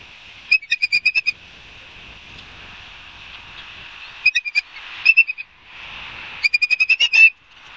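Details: Barnegat Light, New Jersey osprey, September 5, 2022: bursts of quick, thin, piercing whistles, roughly eight notes in a row, separated by quiet spells of hissing background, with a few isolated notes between.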